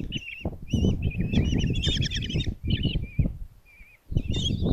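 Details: At a nest box in Tiszalök, Hungary, on June 26, 2024, five common kestrel chicks beg while the mother feeds them: separate wavering, whining squeals in short phrases, a denser burst midway, with brief quiet gaps and shuffling sounds.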